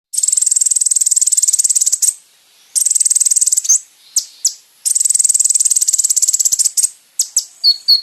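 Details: Kolibri ninja song from a recording for training caged birds: long high, dense buzzy trills of rapid ticking notes, each about two seconds, broken by short gaps and brief sharp chips.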